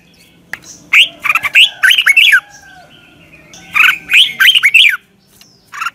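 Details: Red-whiskered bulbul singing at morning as a lure for training birds: two strings of clear, bouncy warbled notes with rising and falling inflections, backed by faint other chirps.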